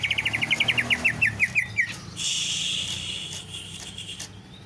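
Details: Canary-style song from a caged greater green leafbird: a fast even series of about fifteen high clipped notes, followed by a long continuous buzzy trill.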